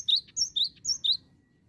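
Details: Gelatik batu (cinereous tit) in nonstop song used as a lure: four quick high paired notes, each a thin upper whistle dropping to a lower rising tone, fading out after about a second over faint hum.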